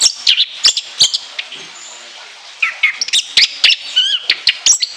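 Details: Orange-headed thrush kept as a songbird, delivering a long song full of mimicked phrases and shrill high notes: bursts of sharp chirps and whistles, a short pause, then rapid varied notes resume.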